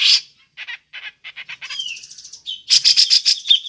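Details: Grey-cheeked bulbul calling in the ngepik style, used to lure other birds: a harsh burst, then short rasping notes, a rising whistled slur, and a dense run of loud scratchy chattering notes near the end.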